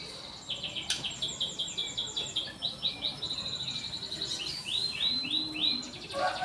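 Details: Canary song: fast repeated descending chirps, a short trill, then a series of rising slurred whistles, with background hiss.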